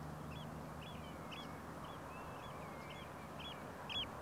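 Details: Common greenshank calling: a run of faint, short, arched whistled notes, about two per second, repeated evenly over a steady low rumble of background noise.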